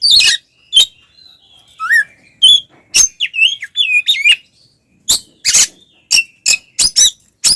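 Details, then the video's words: Oriental magpie-robin in full, loud fighting-style song, used as a lure to provoke other males: scattered harsh broadband bursts alternate with clear whistled notes, some rising and some warbling, packed into quick bursts with short pauses. "SUARA BURUNG kacer gacor NGEPLONG TARUNG konslet paling AMPUH buat PANCINGAN KACER agar EMOSI"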